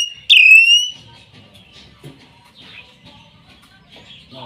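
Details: Hill myna delivering one bright, strident whistle that dips and steadies, followed by several seconds of faint murmuring chatter and rustling.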